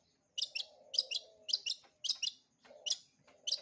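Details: Long-tailed shrike in full repertoire song for young birds to copy. Quick double chips are repeated in pairs about every half second, with a soft, steady low murmur in the background.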